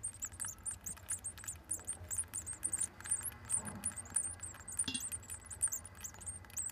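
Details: Great tit (Parus major) nestlings, seven days old, give begging calls on 7 June 2014: a steady chorus of very high, thin squeaks, several each second, over a low muffled rumble.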